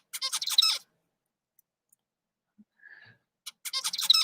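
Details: Song of a male lab zebra finch, apparently a normal tutor song from a FOXP2 study: bursts of buzzy, nasal, harmonic-rich notes with a brief thin whistle between phrases.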